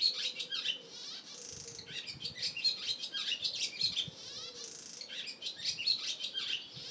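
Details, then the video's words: A barn swallow gives a fast, continuous twittering song of high chirps, trills and scratchy rattles with barely a pause, a faint low hum underneath. "European swallow song"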